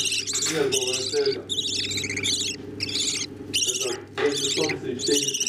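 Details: Budgerigar chicks beg with bursts of high, raspy chittering, repeated every second or so, as the parent budgerigars feed them, over a steady low hum.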